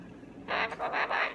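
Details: A pet Goffin's cockatoo talking, whose only words are "nite nite" and "bye bye", gives three harsh, raspy, speech-like bursts in quick succession, each about a quarter second long, after a quiet start.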